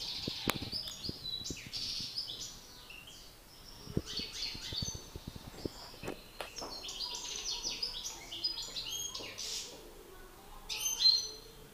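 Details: European goldfinches in a singing contest, a trained master male against an excited male: fast, high twittering with buzzy and tinkling notes in bursts, some brief sharp clicks and knocks underneath.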